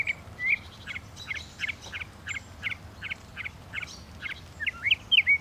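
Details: A Northern mockingbird delivers a rapid series of short buzzy notes, about a dozen in a row, then switches to a couple of louder sweeping whistled phrases at the close.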